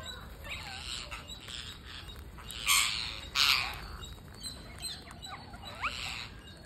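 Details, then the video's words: Parakeet being fed: two loud, broad, screechy squawks near the middle, with softer curling chirps before and after, set against hiss and a faint high steady whine. "Parakeet Feeding"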